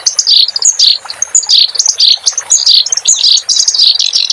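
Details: A clamorous reed warbler sings short, loud phrases of squeaky chirps and bright whistles, repeated about twice a second. The recording is meant for training cage birds.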